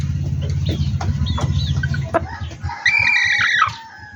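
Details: Backyard poultry farm chicken crowing near the end, a harsh, rough call under a second long, preceded by mixed clucks and scattered noises over a low rumbling hum.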